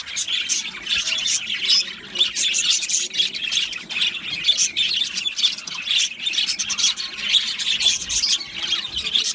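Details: Steady, busy warbling from a budgerigar colony in an aviary, dense high chirps and raspy squawks overlapping throughout.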